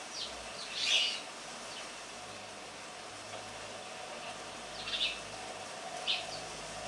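A house sparrow gives three short, bright chirps, one early and two close together near the end, over a steady background hiss.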